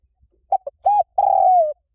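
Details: Spotted dove cooing in lio tan style for luring trained doves: two short notes, a full rounded coo, then a long smooth note that drifts downward. The phrase ends without a closing note.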